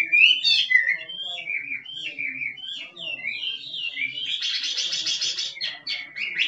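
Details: Forest hwamei singing 'kích trống': bright whistled slurs and warbling turns are followed by a dense, buzzy chattering stretch before clear whistles return.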